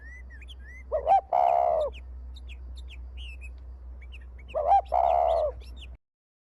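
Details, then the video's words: Contest spotted dove cooing twice, each phrase a brief low note followed by a drawn-out, throaty rolling coo, with faint high chirps of another small bird in the gaps and a steady low hum underneath. "BURUNG TEKUKUR"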